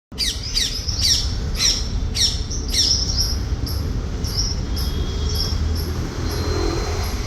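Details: Uncaged Alexandrine parakeets with their chicks, chirping while eating: a quick run of harsh, broad squawks about twice a second for three seconds, then scattered thin high chirps over a steady low rumbling background.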